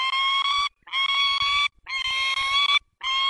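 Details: Two peregrine falcons at a nest holding four eggs in Dolina Baryczy, Poland, on 20 March 2022. Loud, harsh, harmonic wailing calls come in drawn-out bursts of about half a second, repeated with short silent gaps.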